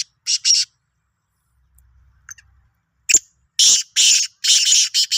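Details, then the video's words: Black francolin of the Sindhi type, 16 March 2023, gives raspy broadband notes: a quick pair, a long gap with faint clicks, then a rapid rasping run of about five harsh syllables. "Kala Teetar ki Awaz"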